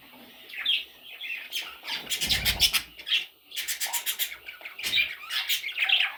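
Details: Baby parrot chicks giving harsh, raspy squawks in repeated bursts, with buzzy scratchy notes throughout and a low thump midway.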